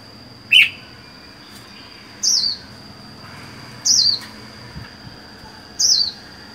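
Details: Caged red-whiskered bulbul kept alone, wild-caught and four months in captivity: one sharp chirp, then three similar short downslurred whistles repeated roughly every one and a half to two seconds over a thin constant high tone.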